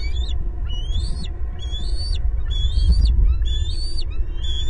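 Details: Bald eagles calling loudly together at their pasture nest tree in Southwest Florida, pair plus two eaglets, spring 2022, nest camera: five rising-and-falling shrill piping notes in quick regular sequence, with steady low rumble beneath.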